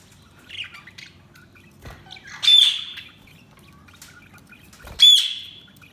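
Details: Budgerigars chirping; two loud harsh squawking chirps about two and a half seconds apart, preceded by softer scattered chirps, over a faint low hum.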